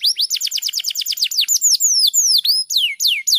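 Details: Domestic canary singing a tutor song meant to train other canaries, in the fast dense 'speed rapat gacor' style: a quick run of bright downward-sweeping notes, then slower, longer sliding whistles and a few sharp upslurs.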